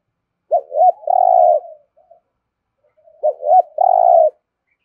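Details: Spotted dove cooing in the style called thổ rền, a resonant rolling voice, giving two phrases of two short hooting notes followed by a long, steady, humming coo, the phrases about three seconds apart, in near silence.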